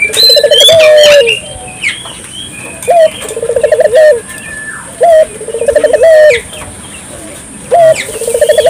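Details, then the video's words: Vigorously calling dove, intended to make local doves call along. Low rolling phrases, each a short note, a fast rattling trill and a lengthened coo, recur with pauses. Sharp chirps from other birds sound at the start. "suara burung puter gacor,merangsang burung puter lokal ikut gacor"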